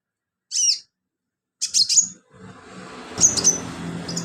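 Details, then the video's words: Sunbird singing as filler song for training birds; brief separated bursts of thin, very high chirps and squeaky whistles, later over a low humming background. "BURUNG KOLIBRI/CONIN GACOR buat isian"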